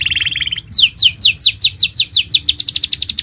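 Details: Canary in full song, meant as a master recording for juvenile canaries: a fast buzzy trill gives way to a long run of bright rising chirps, about six per second, quickening toward the end; thin steady whine behind.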